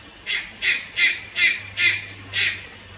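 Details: Young Malayan night heron at Lugu on 30 July 2022 gives six harsh, hoarse squawks in quick succession, roughly two to three per second, each a loud rasping burst over a faint low hum.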